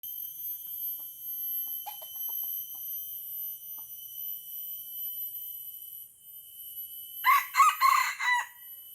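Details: Wild red junglefowl from Aceh, lured down by a decoy rooster and fighting it; near the end comes one loud, short, hoarse crow of several rapid broken syllables, over a steady high-pitched insect drone and a few soft ticks.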